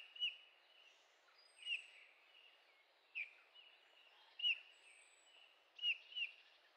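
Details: Eurasian bullfinch in the Sauerland at Heringhausen, Germany, 15 August 2013, giving six soft, downslurred piping calls spaced roughly one to one and a half seconds apart, the last two as a quick pair, against constant low environmental noise.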